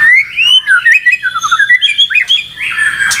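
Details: Caged white-rumped shama delivering a smooth, fluty run of slurred whistles that glide up and down, ending in a harsher buzzy note.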